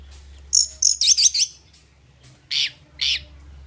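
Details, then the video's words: Kacer, the Oriental magpie-robin, singing as a lure meant to rile rival birds: a quick run of harsh, very high chattering notes, then two separate scratchy bursts, with a faint low hum beneath. "pancingan burung Kacer gacor ini bisa mendobrak emosi lawan mu dengan cepat"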